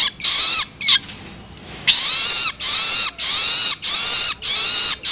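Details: Young long-tailed shrike begging calls that stimulate adult birds: two harsh screeches, a second-long hush, then a steady train of longer grating rasps spaced about 0.6 seconds apart.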